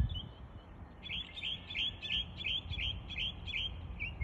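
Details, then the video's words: Mockingbird copying the sounds of other birds: a fast series of bright, chirpy high notes, each phrase slurring downward, repeated several times a second over a low background rumble. "Mockingbird…so amazing how they can copy almost any sounds from other birds…"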